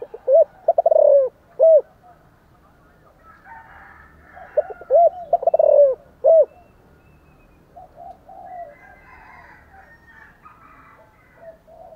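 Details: Vigorous spotted dove cooing: two phrases of short low hoots running into a rolling coo and a sharp closing note, followed by softer background sounds.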